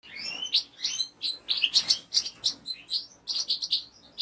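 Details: A European goldfinch pours out a rapid, unbroken run of tinkling chirps, trills and buzzy notes, each phrase snapping in quick succession with barely a pause.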